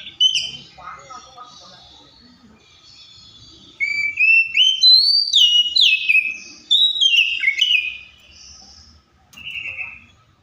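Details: Oriental magpie-robin song in bursts: clear whistled phrases of short notes that step upward then slide down, loud from about four seconds, pausing, then a final short whistle; faint low background hum.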